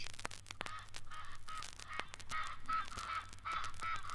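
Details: Egyptian geese alighting noisily at the water's edge of an East African lake or river give harsh, nasal honking calls in quick ragged bursts, several birds overlapping, over a low steady hum.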